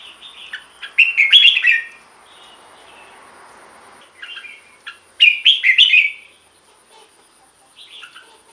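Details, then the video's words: Song of a caged red-whiskered bulbul, used to stir other cage birds into singing: two loud bubbly, warbling phrases with softer chirps and a faint hiss in between. "เสียงนกกรงหัวจุก สำหรับต่อ หรือ เปิดให้นกคึก เสียงเพราะๆ"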